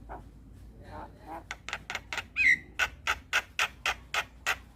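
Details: Javan myna in the morning: soft low notes lead into a steady series of harsh, clipped rasping calls repeated about four times a second, with one bright whistled slur in the middle.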